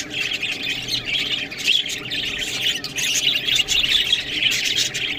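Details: Several budgies feed on green food while chattering nonstop: busy, high-pitched warbles and squawky chirps overlap into a steady twittering wash, swelling slightly louder toward the end.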